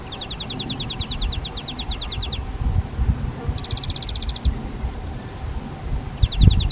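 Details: Spotted flycatchers raising a replacement brood in a half-open box on a garden shed, parents bringing flying insects; rapid high ticking series in three bursts, with thumping and rustling noise in the foreground.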